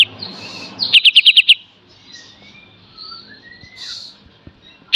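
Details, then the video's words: Kapas tembak, Olive-winged Bulbul, giving 'tembak' style song used for tutoring cage songbirds: a quick run of five or six crisp high clicks, then quiet with soft thin whistles and a final sharp note. "KAPAS TEMBAK FULL BESET DAN TEMBAK"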